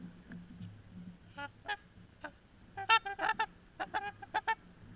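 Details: A few Trumpeter Swans seen from a beach, milling about and sometimes trumpeting: a burst of loud, nasal, horn-like honks, several calls overlapping in quick succession, over a low background rumble.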